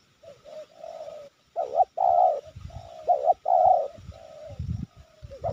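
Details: A spotted dove coos without pause at a trapping spot in Sibolangit, two decoy birds set out: a sequence of mellow low coos, some loud and full, others soft and trailing, with bursts of low rumbling noise.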